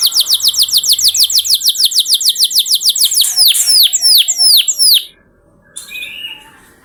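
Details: Lure recording of a canary to coax canaries into singing: a rapid string of high downslurred notes that slows into broader swooping whistles, then a pause and one soft note.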